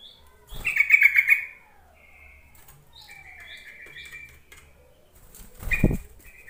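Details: Yellow-vented bulbul lure call for stirring quiet bulbuls into singing: a loud bubbling, slightly rattling burst, then a long faint steady high tone with small chirps, closing with a thump and a short call.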